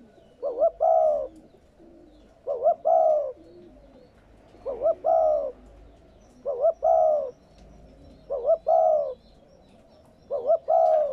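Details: Spotted dove giving its coo, played to stimulate captive doves: a soft, low two-part phrase, a short rising note and a longer throaty coo, repeated about every two seconds against steady low hum.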